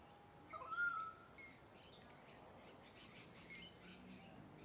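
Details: Pied currawong (Strepera graculina) on the Sunshine Coast, Queensland, in October 2024: one clear, ringing whistled note that rises slightly and then holds steady for about a second, followed by two brief, thin, high chirps over soft hiss.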